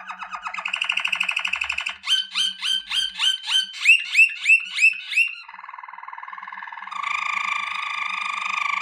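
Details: Malinois Waterslager canary singing strongly: a fast rattling trill gives way to bright slurred notes repeated about three times a second, then a steady low roll and a buzzier, higher rolling trill.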